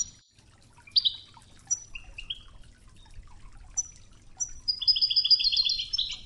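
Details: Wejdani-style European goldfinch song from a 'toughza' training tape with flowing river water: sharp high notes and short slurred chirps lead into a long, rapid, twittering trill near the end, with soft water noise beneath.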